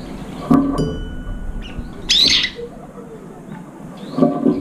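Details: Several brown-eared bulbuls squabble at a nearly emptied feeder, flying up to fight between mouthfuls; a single strident, rasping screech mid-clip stands out over faint chirps and low background rumble.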